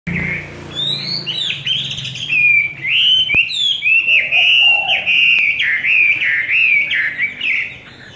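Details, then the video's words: Chinese hwamei singing in the 'forest voice' style, a bird fed on homemade feed: loud, rich whistled phrases sliding up and down, continuous and varied for about seven seconds after a quiet opening, with a faint low hum behind. "Họa mi giọng rừng"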